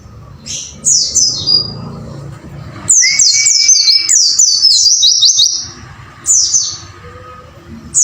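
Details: Caged white-eye singing to train other caged birds: bursts of high, thin descending chirps, rapid twittering runs around 3 seconds and 5 seconds, plus a steady whistled tone held for about a second, low background hum throughout.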